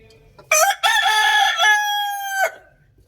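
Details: Rooster crowing loudly: a single crow about two seconds long, opening with a harsh, rough burst, a brief break, then a long, steady, drawn-out note that cuts off abruptly, against an otherwise quiet background.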